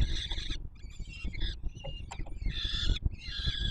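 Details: Peregrine falcon young being fed at their Warsaw nest on the Palace of Culture and Science, 7 July 2022. Harsh screeches open and close the passage, with softer broken squeaks between them and a deep background rumble.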